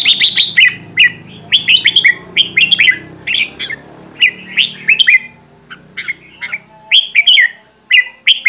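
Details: Red-whiskered bulbul, a decoy bird in voice training, giving bright, bubbly whistled phrases, each a quick burst of rising and falling notes, repeated about every half second with short pauses.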